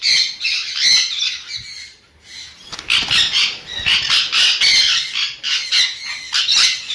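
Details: Sun conure giving dense runs of harsh, high screeching squawks, closely packed and overlapping, with a short quiet gap near the two-second mark before the screeching resumes.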